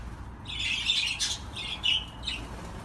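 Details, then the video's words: Budgerigar warbling in quick, scratchy chirrups and buzzy trills, with a burst of harsh chatter at the start, a brief pause, then a few more squeaky twittered notes. "تغريد طيور الحب االبادجي"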